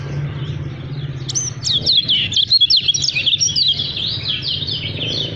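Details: Lemon-bellied white-eye, called kecial kuning or kacamata Lombok, delivers a quick burst of high, tightly packed twittering notes in the middle, the first second carrying only a steady low hum and background noise.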